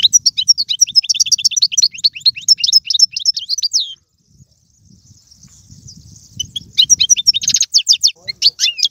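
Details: European goldfinch song used to stimulate a pet goldfinch to sing: about four seconds of fast, high twittering, a quiet gap with soft background noise, then more bright chirps and a brief trill.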